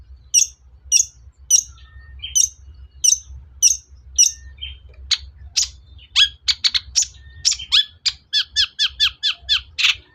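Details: Shrike lure song, long-tailed shrike, to provoke singing: a run of sharp high notes repeated about every 0.6 seconds, then it speeds into a rapid, varied chatter of clipped notes, with steady low background rumble.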